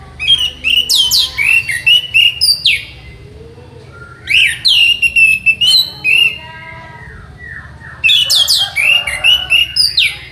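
Three loud bursts of rich, varied thrush song, quick whistled and chattering phrases sweeping high and low, separated by pauses of about two seconds, over a faint low hum.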